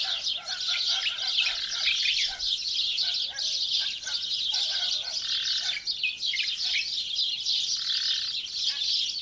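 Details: Birds in chorus at early morning in a rural village of Bir Ennasr, Benslimane province, Morocco; unbroken high-pitched chattering and chirps from several singers, with short repeated lower whistled notes breaking through.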